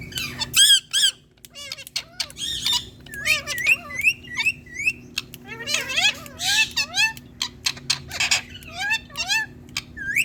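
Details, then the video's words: Indian talking parrot, a green ringneck, speaking on a plant: a busy stream of scratchy, speech-like and squawky syllables, many swooping upward, in quick irregular bursts across the whole stretch, with low steady hum beneath. "Indian Talking Parrot 🥀 Speaking On Plant🪴Green Ringneck"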